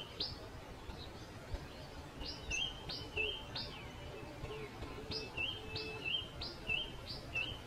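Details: Pipit giving thin high chirps with an upward flick, quieter and less even than a steady series, with small gaps between groups of notes, over a soft rumbling background.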